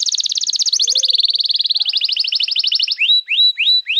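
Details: Canary singing, used to train young birds and restart silent ones: a long, very rapid high trill that shifts pitch twice, followed by three rising-then-falling whistled notes.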